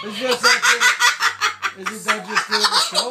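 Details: A pet cockatoo being loud indoors pours out rapid, wavering, laugh-like cackles, about two or three bursts a second, with a brief low hum underneath partway through.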